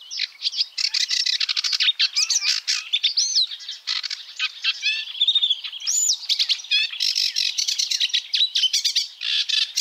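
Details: Sedge warbler in full song: a dense, hurried jumble of scratchy chatter, dry trills and sudden clear whistled slurs, delivered almost without pause for nearly ten seconds, no other sounds audible.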